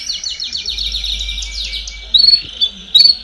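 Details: Domestic canary in baderna-style song, played to push chicks to start singing: a descending series of quick repeated sweeping notes, followed by a few sharp high chirps.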